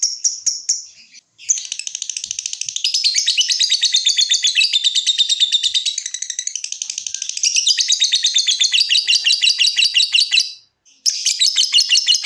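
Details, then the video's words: Lovebird, a cage bird, in a long unbroken trill of rapid high buzzy pulses, rising and falling in pitch, with one brief pause near the end, used to get other lovebirds trilling. "Suara Burung LOVEBIRD dimulai NGETIK lanjut NGEKEK"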